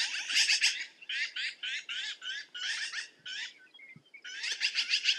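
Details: Black-billed magpie chattering almost without pause, a rough, rasping string of rapid notes that fades slightly near the end before a loud final burst.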